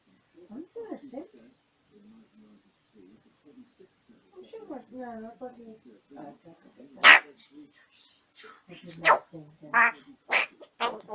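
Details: Male African grey parrot in its cage at bedtime, babbling while settling down for the night: soft, varied speech-like warbles and murmurs, then several loud, sharp bursts in the last few seconds.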